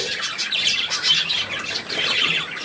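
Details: Budgerigar, 3 April 2017: harsh squawky notes mixed into a quick, high chattering warble, with a brief dip in activity before it picks up again.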